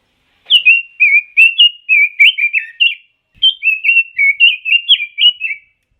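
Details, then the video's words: Two back-to-back phrases of melodious warbling from a Pekin robin, an imported songbird, each packed with around eight bright, slurred whistle notes, the second beginning almost immediately after the first. "Kicau Burung ROBIN"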